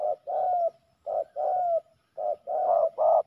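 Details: Male spotted doves fighting, one voicing loud low coos: a short note then a longer drawn coo, the pattern repeated three times about a second apart, the final notes harsher and stronger.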